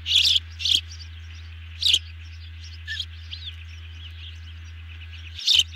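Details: Osprey nest during an evening dinner delivery, 18 June 2020, two birds being fed; a few piercing high chirps in short clusters separated by quiet gaps, over a constant low electrical hum.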